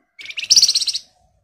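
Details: Short burst of red avadavat song, a lure for other birds to respond: a quick rising chirp leading into a tight, rattling high trill of roughly half a second.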